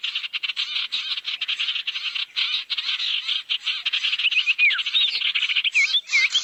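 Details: Barn owl calls played as a lure to attract owls: dense, rasping hiss-screeches repeated in choppy pulses, with a few sliding whistled notes appearing near the close.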